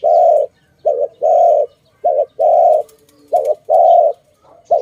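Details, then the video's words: A dove in a bird-trapping context utters steady low coos in short-long couplets, about one couplet per second. Faint twittering of other birds is in the background. "Sound of good dove for letting altogether"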